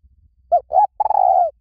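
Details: One clean phrase from a spotted dove: two brief rising-then-falling coos, then a longer, throaty, faintly trembling coo that drops away at its close. The background is otherwise quiet.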